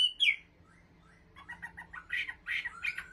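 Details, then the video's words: A kept Chinese hwamei songbird sings a loud, high whistle slurring downward, then a quick run of varied, bright notes in about three seconds, over a faint low hum. "Họa Mi giọng hót cực hay và chuẩn"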